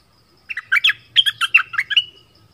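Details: Southern Thai decoy bulbul, called merbah lekir, gives a short bubbly phrase of seven or eight warbled notes that rise and fall, with a soft low hum behind.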